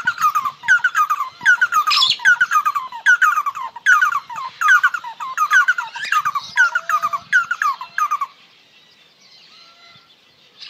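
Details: Red-and-headed barbets (Trachyphonus erythrocephalus) singing in a parrot shop: a loud, rhythmic string of chattering phrases repeated about every half second for eight seconds, then quiet with faint whistles.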